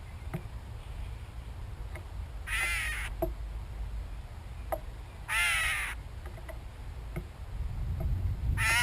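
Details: Gray catbird (Dumetella carolinensis) giving its typical mew call: three harsh, nasal, cat-like mews, each about half a second, spaced a few seconds apart, over a low steady rumble.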